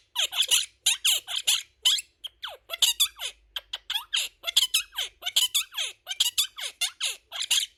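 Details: Male pet Quaker parrot chattering words at lightning speed, as when relaxed or playful: rapid bursts of high, squeaky speech-like syllables, several per second, with short pauses between phrases, indoors in a small room.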